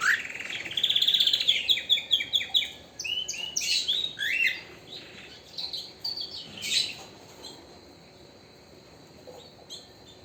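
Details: Canary pours out a lively song of rapid, repeated chirps and bright trilled phrases over several seconds, then breaks into scattered notes before falling quiet.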